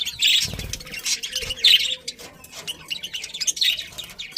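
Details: A colony of budgerigars chirping cheerfully, layered high twittering and scratchy warbles with a couple of soft low bumps early on.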